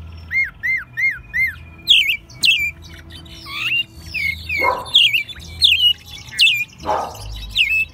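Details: Pet American robin singing in spring in Mexico City, March 2020, described as still somewhat rough-voiced; opens with four repeated hooked whistles, then a run of varied high, slurred phrases, with low humming beneath.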